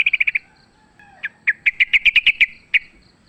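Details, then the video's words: Fighting wild sooty-headed bulbul: a quick burst of five chirps, a pause, then a run of loud, evenly spaced sharp notes ending in one isolated chirp. "trucukan gacor tarung full suara ALAM LIAR AMPUH buat PANCINGAN"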